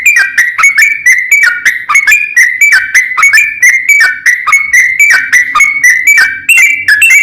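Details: Continuous whistled warbling from a yellow-vented bulbul, played to coax other bulbuls into singing; bright notes dip and rise in quick succession, roughly three to four per second, without pause.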